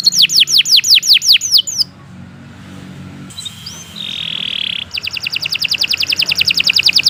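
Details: Canary singing a long, continuous song used as a tutor recording for training other birds: runs of high, quick down-slurred notes, a pause, then a drawn-out note and a fast, even trill of many repeated syllables.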